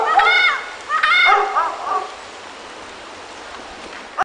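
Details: A wild pair of Panama amazons (Amazona ochrocephala panamensis), apparently in Panama, answering a person calling to them: two loud, harmonic, arching squawks about a second apart, then several shorter, lower, throaty notes fading away; faint background hiss.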